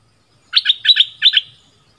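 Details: Merbah lekir bulbul kept as a southern Thai decoy: three quick paired chirps, each pair a sharp rising note then a lower one, over about one second.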